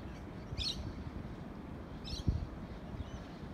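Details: Two brief, harsh, high screeches from a lorikeet at Urunga, Australia, about a second and a half apart, over a steady low engine-like rumble.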